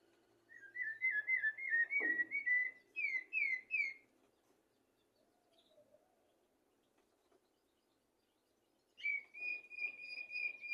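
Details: Common blackbird song used to tutor goldfinches and canaries. Soft, fluty warbled phrases of wavering whistled notes, then a few rising notes, a long pause, and a steady clear whistle with faint twittering.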